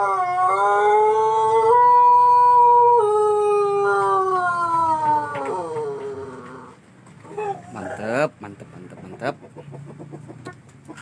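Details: Pelung chicken from Plered, Purwakarta Regency, crowing one very long, rich harmonic note that holds steady, then slowly falls and fades over about seven seconds, followed by quieter scattered rustles and clicks.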